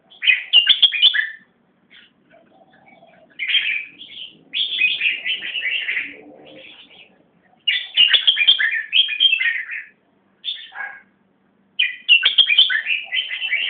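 Greater racket-tailed drongo singing varied bursts of bright, chattering whistles broken by short pauses.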